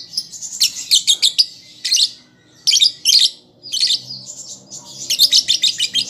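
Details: A young caged lovebird learning to sing gives clusters of sharp, high, rapid chips and squeaky notes in bursts separated by brief pauses, over a faint low hum.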